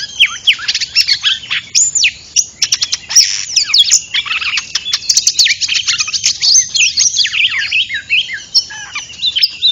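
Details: Oriental magpie-robin singing as a lure for trapping birds: a busy jumble of scratchy chirps, harsh notes and looping whistles that keeps going, with some rapid clicking runs.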